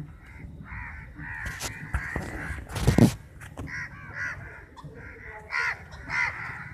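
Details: Crowd of crows fighting over chapati: rough caws from several birds overlapping, a loud thump and scuffle in the middle, then more scattered harsh caws.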